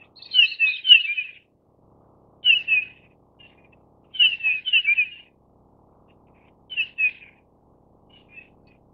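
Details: A Grey-headed Bullfinch of the Taiwan-endemic high-mountain subspecies Pyrrhula erythaca owstoni gives short bursts of quick, high chirping notes, four bursts spaced a few seconds apart, against a quiet background.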